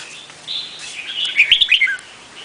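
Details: A single Vietnamese red-whiskered bulbul phrase: a soft whistle swelling into a rapid tumbling warble of three or four bright notes.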